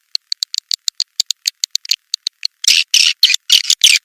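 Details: Swiftlet lure call for attracting swiftlets: a run of sharp, dry clicks at a quick, uneven pace for about two and a half seconds, then louder, harsh buzzy chirps in short bursts.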